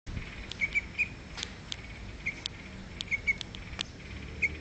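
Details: A small bird in Kuching, East Malaysia, gives brief, high chirps, singly or in quick pairs, at uneven intervals, over soft tapping clicks and a light background hiss.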